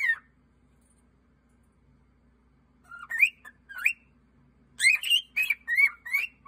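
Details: Pet cockatiel singing cheerfully on his 15th birthday: a short whistle at the start, then after a long pause a run of clear rising and falling whistled notes, quickening into a string of bright slurred whistles.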